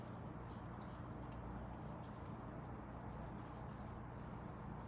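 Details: Male Northern cardinal feeding a fledgling; sharp high-pitched chips, single then in short rapid runs of three or four, spaced irregularly against a faint low background rumble.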